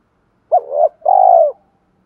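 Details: Spotted dove used as a lure bird, with a voice of the 'giọng thổ' style, cooing to spur others to coo: a short low hooted note, then a longer, slightly buzzy, steady coo, one phrase in quiet surroundings.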